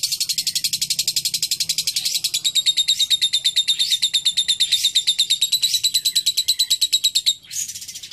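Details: Lovebird singing in the style called isian cililin: a long, fast, regular series of shrill, high chattering notes, about three per second, with a brief break and a final squeak near the end.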